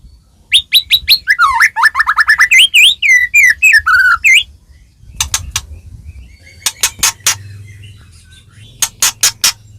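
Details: White-rumped shama singing, used to provoke other shamas into song: a rapid run of repeated whistled notes sliding lower, then scattered sharp, loud ticking notes in small clusters over faint background hum.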